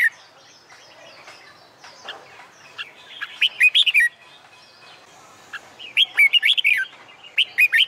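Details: Red-whiskered bulbul contest-training song at midday in summer: several fluty, rising-and-falling phrases of four to six notes come in quick succession over busy background bird chatter.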